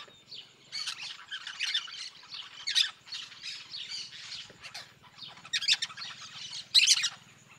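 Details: Yellow-chevroned parakeets calling noisily as a group in the sertão of Bahia, Brazil: dense overlapping shrill, harsh screeches and squawks in bursts, with several louder strident notes standing out, over a faint low hum.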